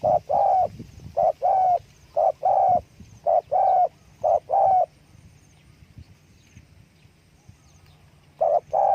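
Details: Spotted dove giving its call with wing flapping: about eight low, mellow coos in a quick uneven run, then several seconds of quiet before two more coos at the end.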